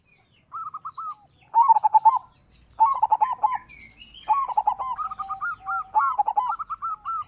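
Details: Local zebra dove singing vigorously, a lure meant to draw rival doves into song: rapid bursts of mellow, bubbling notes near one pitch, run together in phrases, with thin high chirps of other small birds above.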